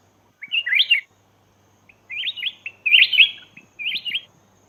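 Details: Laotian recording of a black-crested bulbul calling to lure wild birds: four short bubbly phrases of slurred whistled notes, roughly evenly spaced with quiet gaps between them.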